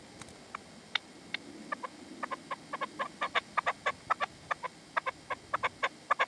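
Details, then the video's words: Partridge calling with a decoy (reclamo) at sunset in the sierra near Manzanares, 27 February 2014, the male not coming in; short sharp clucking notes in a quickening series that grows louder over six seconds, against faint background hiss. "PERDIZ Y RECLAMO"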